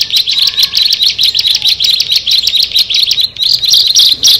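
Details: Dense, rough sequence of high chirping notes from a bar-winged prinia, one of six birds together, running almost continuously with irregular spacing and a short dip around three seconds.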